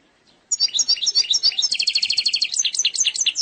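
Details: European goldfinch from Algeria performing an error-free eastern-style song: after half a second of quiet, a continuous rush of high tinkling twitters breaks into a fast, even rattling trill, then returns to varied chirping notes.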